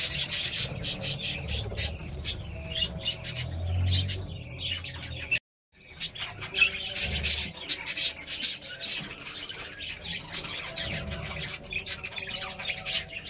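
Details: A female budgerigar tending her newly hatched chick chatters in quick, scratchy chirps and rasping warbles, with a brief silent break midway.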